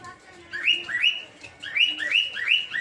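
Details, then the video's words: Rosy-faced lovebirds kept in an aviary for breeding; quick upward-sweeping chirps come in a tight series, a few per second, over a faint background murmur. "Peach-Faced Lovebird's Sounds"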